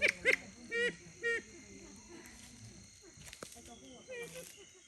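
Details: Siamese fireback (Lophura diardi), Thailand's national bird, gives four loud, nasal, honking notes in quick pairs, then softer ones after a short gap. A steady insect-like hum and a few sharp clicks are heard behind.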